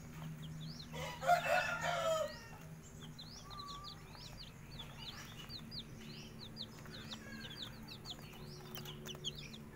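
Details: Thai game chicks sunning in the morning peep in quick, high, rising chirps, with a louder adult chicken call near the start.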